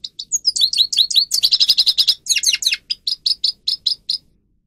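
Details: Grey-crowned goldfinch singer recorded as a tutor song for teaching birds: rapid twittering phrases of high, bright notes, a tight run of evenly repeated chirps in the middle, then slower separate tweets fading out.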